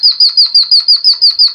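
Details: Java sparrow singing canary-like material meant for training other birds, a rapid steady series of high bright chip notes repeated roughly every fifth of a second.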